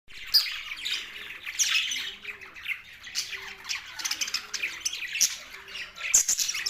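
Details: Australian budgerigars chirping, linked to mating: dense overlapping chatter of warbles and squawky chirps, several birds at once, with bright sharp notes breaking out now and then over the steady flock noise.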